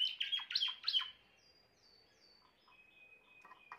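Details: Grey Timbrado canary with a short burst of sharp, downward-sweeping notes over about a second, followed by near silence with faint thin tones and soft chips.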